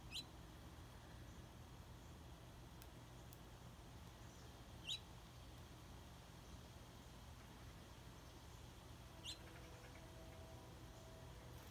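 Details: Sharp, high chips from juvenile northern cardinals, three isolated notes spread across about twelve seconds, the middle one loudest, against a constant low hum and faint background noise.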